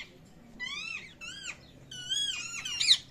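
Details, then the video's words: Baby parrot calling: clear, rising-then-falling whistled calls with strong harmonics, given in short separate bursts, then a rapid run of bent, squeaky notes near the end, over faint low background hum. "Parrot Baby Calling Sounds | Natural Baby Parrot Sounds | Parrot Baby Chirping Sounds"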